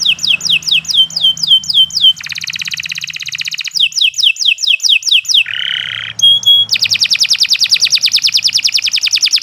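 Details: Canary song used as a master recording for training other birds, sung long and without pause: rapid repeated downslurred whistles, fast buzzy trills, a low nasal rattle and sharp rolling trill series, loud and continuous.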